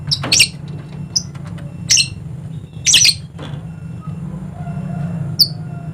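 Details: Dusky lory, a bird endemic to Papua island in eastern Indonesia, giving short harsh squawks about once a second, some doubled, over a steady low hum.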